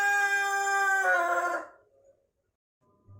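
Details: Pelung chicken crowing, its song lengthening as the bird matures; the clip catches the end of a strong harmonic crow that bends and fades out after about one and a half seconds, followed by near silence.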